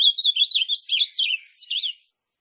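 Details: Ultramarine grosbeak (azulão) singing, a song meant to prompt captive birds to sing: a fast, rich warble of rising and falling slurred whistles lasting about two seconds, ending with a few sharper notes, no other sounds.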